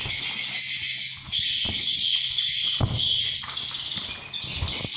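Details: Roosting calls of swiftlets inside a swiftlet house, seven months old: a dense, continuous chorus of high, shimmering chirps and twitters, with occasional low knocks and thuds beneath.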